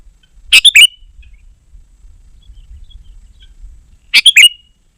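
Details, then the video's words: Sooty-headed bulbul song meant for luring wild birds and tutoring caged birds: two brisk, bubbly bursts of a few notes each, about three and a half seconds apart, over a faint low rumble. "Suara Burung KUTILANG GACOR Sangat Rapat"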